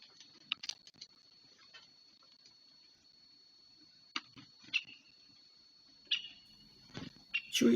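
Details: A female woodpecker visiting a busy bird feeder shortly after dawn, among tits, gives a handful of sharp, abrupt 'kik' calls spaced irregularly a second or more apart, with a steady high whine and quiet speech.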